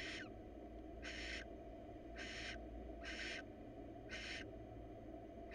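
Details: Barn owl female, wild, soliciting mating from an uninterested male before the breeding season starts: rasping broadband hisses about half a second long, evenly spaced near one per second, with a constant low background drone.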